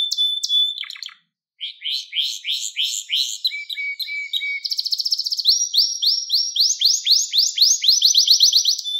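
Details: Canary song recorded as a training lesson for young canaries: long rapid trills of repeated rising high notes, switching between fast rolls and slower swept phrases, with a brief gap early on and no other sounds.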